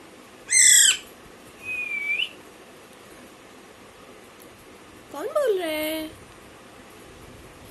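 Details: Baby Alexandrine parakeet calling: a short harsh chirp, then a thin rising whistle, and later a drawn-out nasal call that drops and levels off, with quiet pauses in between.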